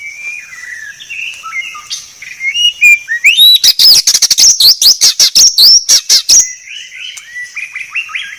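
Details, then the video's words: White-rumped shama singing clearly: soft falling whistles, then a loud burst of rapid sharp chips with a high steady overtone, ending in rising whistled phrases. "Masteran Murai Batu Paling Jernih"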